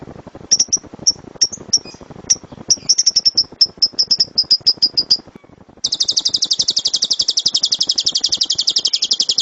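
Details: Lovebird master recording in the loud tembakan style, used to teach other birds: spaced piercing high chirps quicken into a rapid series, then after a pause a long, very fast, dense shrill trill runs to the end.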